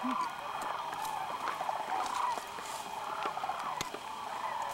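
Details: Sandhill cranes massing at Whitewater Draw, southeastern Arizona, on January 1, 2012, after a morning in the fields; a quieter background of many overlapping trumpeting calls with occasional clicks.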